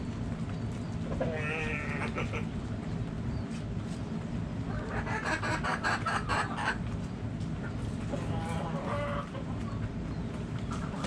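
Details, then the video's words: Backyard chickens, hens and roosters: three drawn-out, harmonic squawking calls, each about a second long, spaced through the stretch over a steady low rumble of background noise. "Backyard Chickens Relaxing Sounds Noises Video Hens Clucking Roosters Crowing!"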